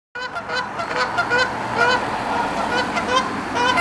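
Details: Canada Geese honking loudly while fighting and attacking each other on a road; dense, continuous, overlapping nasal honks from several birds with no pause.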